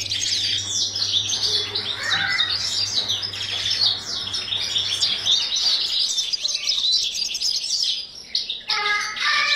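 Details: Captive breeding European goldfinches keep up a busy, high twittering song with trills and short buzzy notes. A low hum shows in the first five seconds, and a sharper chirp comes near the end.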